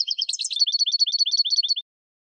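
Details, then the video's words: European goldfinch in spring, singing for cage-bird training: under two seconds of rapid, high tinkling chirps and twittered notes, evenly repeated, ending in silence. "12h GOLDFINCH in Spring !!!"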